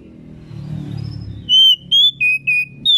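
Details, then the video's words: Singing female Oriental magpie-robin, meant to provoke males into song: after a low rumbling background, a run of five loud, pure whistles, alternating slightly higher and lower, spaced roughly a third of a second apart. "Kacer betina gacor || pas buat pemancingan si jantan cepat gacor"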